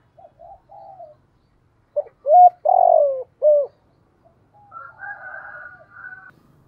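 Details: Cooing of a spotted dove used as a lure for wild doves: soft distant coos, then a loud nearby phrase of short hoots and a long downward coo, followed by faint higher cooing.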